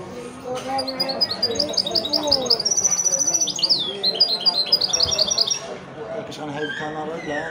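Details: Mule bred from a male goldfinch and a female canary delivers bright, rapid twittering song, fast repeated metallic trills and quick chirps in a busy flowing run, with men's voices murmuring underneath.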